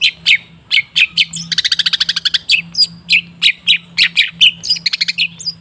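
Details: Lure song of a long-tailed shrike meant to stir a quiet bird: loud, dense harsh chips and a fast rattling run of evenly spaced notes, with a faint steady low hum underneath.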